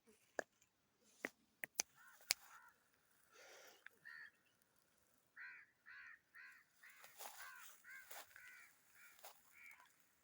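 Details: Black francolin calling outdoors: a series of short, grating, stacked notes given in quick clusters, with several sharp clicks early on and a few louder harsh notes in the second half.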